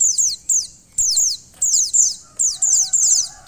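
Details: A female white-eye, calling so the male starts singing, gives quick series of high, thin, downward-slurred notes in short clusters, with a faint low hum present.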